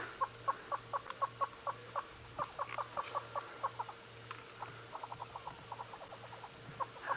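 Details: Adult Southern Yellow-billed Hornbills calling off to one side during an afternoon safari drive on 16 May 2017: a long series of short clucking notes, about four or five per second, with a brief pause midway before the clucks resume more rapidly.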